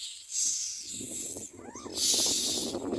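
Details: Common myna chicks calling for food during feeding: two loud, rasping, hissing screams with a short, squeaky note between them, over low rustling.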